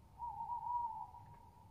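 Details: A clear, steady tonal note from a tawny owl, recorded 22 07 20, held for almost a second with a slight waver before fading, over quiet low background noise.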